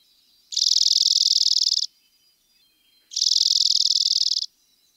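A Dark-eyed Junco gives two fast, dry trills of high, even notes. Each lasts just over a second, with a short pause between them. The background is quiet.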